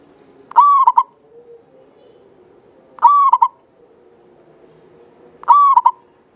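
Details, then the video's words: Active local Javanese zebra dove with a long, clear song, used to prompt other birds: three phrases about every two and a half seconds, each a drawn-out even coo ending in two clipped notes, over a low background hum. "Perkutut lokal jawa gacor buat pancingan suara panjang bening"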